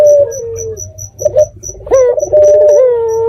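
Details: Red-eyed dove used as a night lure for other doves to answer: a falling coo, a short purr, then a rising flick into a long steady throaty note, with rhythmic insect chirps above.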